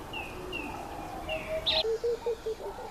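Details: Laughing dove courting a female, giving a brief run of five or six short, low, evenly spaced bubbling coos near the end, after thin whistled notes and a sharp chirp from other birds.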